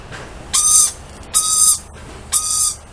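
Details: Three shrill, grating screeches about a second apart as lorikeets outside greet a familiar person.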